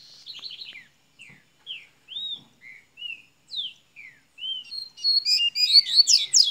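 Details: Double-collared seedeater from Minas Gerais opening its song: a series of separate clear slurred whistles, rising and falling, about one per half second, building into a fast, loud, twittering flourish at the end.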